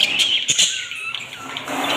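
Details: Home-bred budgerigars in a cage, feeding and playing, chatter with high, squeaky warbles and short chirps packed closely together.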